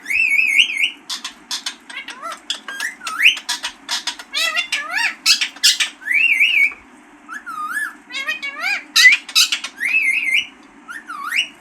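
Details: Green parrot talking and squawking, a lively mix of wavering whistled phrases, sharp harmonic syllables and arching notes, with short pauses between bursts over a low steady hum.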